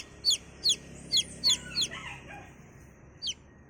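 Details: Chick giving high, thin descending peeps in an uneven run of about six, then a pause before one last peep, with a faint low hum behind.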